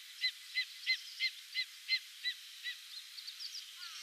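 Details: Greater spotted eagle calling, recorded January 2006 in Satsumasendai, Japan: about eight short, high yelping notes, roughly three per second, slowing and fading at the end over steady background hiss.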